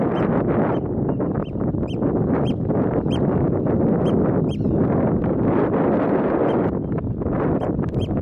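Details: Eurasian oystercatcher (Haematopus ostralegus) at Boterhuispolder, the Netherlands, on 22 May 2021, gives a steady series of sharp, piercing high 'kleep' calls, about two per second, over heavy wind rumble.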